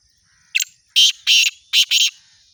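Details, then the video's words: Loud, rasping call of a Black francolin: one brief sharp note followed by four harsh, buzzy bursts grouped in two pairs, delivered within about a second and a half against near silence. "kala tater کالے تیتر کی خوبصورت آواز"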